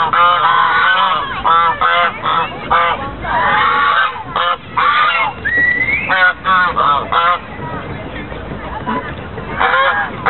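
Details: White geese at Lake Elizabeth in Fremont, California, on 24 November 2013, honking in loud, overlapping bursts of nasal calls that come in quick runs with short pauses between them, plus one brief rising whistled note midway.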